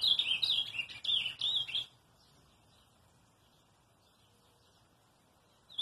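Ultramarine grosbeak giving a quick run of rich, warbled whistles for about two seconds, then quiet, with one last sharp note at the end.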